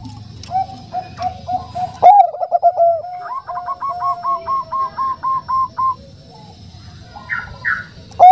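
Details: Female zebra dove of the Bangkok type calling a male in the soft nutut voice. A low steady series gives way to a sharp accented note and then a long chain of regular, repeated coos, with a few faint higher chirps near the end.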